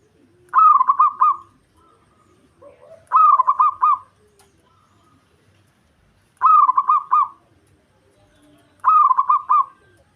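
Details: Local zebra dove in breeding condition, its song meant to provoke rivals; four rolling pulsed phrases spaced about two to three seconds apart, each several quick throbbing notes, with faint softer coos between.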